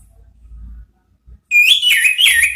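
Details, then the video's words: After a second of low rumbling background noise, an orange-headed thrush launches into a quick, bright warbling phrase of slurred whistles. The song is meant to lure the 'ngeplong' sound, in the 'ngeriwik' chattering style. "Siulan ANIS MERAH ampuh memancing BUNYI NGEPLONG ¦TERAPI PANCINGAN ¦ KICAUAN NGERIWIK"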